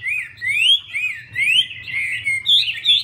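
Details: Garrulax canorus, a female hwamei performing a spread-wing display to excite the male, gives slow swelling whistled slurs, each rising then dipping, in about four loud bursts over three seconds, with a faint low hum behind.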